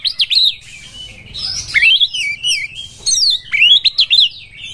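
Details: Oriental magpie-robin singing to seek a rival to fight, with a series of loud slurred, sweeping whistles and quick chirps in short phrases.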